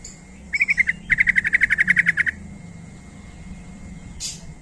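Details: Lure call of a sooty-headed bulbul meant to draw other bulbuls to respond: a short phrase followed by a fast, even run of about fourteen clipped chirps, then quiet with a faint low hum.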